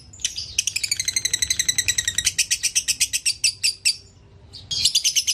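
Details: Lovebird kept as a cage bird gives a rapid, rattling run of high chirps lasting several seconds, pauses briefly, then starts another quick chirping burst.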